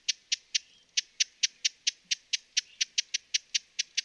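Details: A series of dry, hard tchip notes from a broad-billed hummingbird (Cynanthus latirostris), western North America, repeated quickly and somewhat irregularly, about eighteen in four seconds, against a clean, quiet background.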